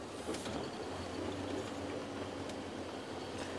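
Steady low engine rumble with broadband noise and no animal sound.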